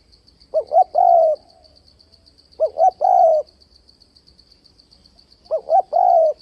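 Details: Trap-luring call of a spotted dove in the alternating 'đảo giọng kèm bo' style. Three phrases sound roughly 2.5 seconds apart, each made of two quick hoots and a drawn-out coo, with a faint pulsing high-pitched tone running throughout.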